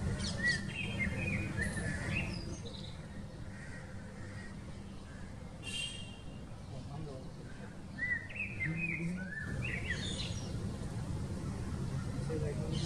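A Shikra gives two bursts of sharp, harsh, rising calls in quick series, against steady low rumbling background noise and possibly faint voices.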